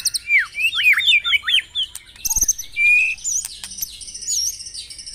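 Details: White-rumped shama song for morning dewing of caged birds: a series of descending whistled slurs, then sustained bright whistles and twisting high notes, with a soft click near the middle.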